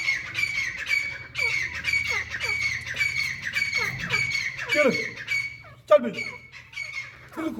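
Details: A pair of grey francolins, a male with a female: a rapid run of harsh, squawky notes held at a high pitch, interrupted by lower downward-sliding calls, with a human voice faintly in the background.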